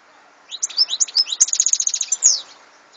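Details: A European goldfinch sings in this 2014 recording: a lively two-second phrase of chirpy twitters leading into a fast, evenly repeated tinkling trill and a final sweeping note.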